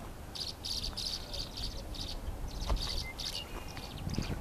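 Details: Tree swallows trying to establish territory near a nest cavity at Walden Ponds Open Space, Gunbarrel, Colorado, on 15 April 2017 give quick, high, liquid chirps in rapid uneven bursts, several per second, over a low rumble of wind.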